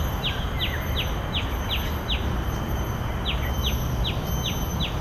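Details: Common tailorbird at Bidadari, Singapore: a quick run of six sharp, high, downward-slurred notes, a short pause, then five more, about three per second, over a steady low rumble and a thin constant high hum.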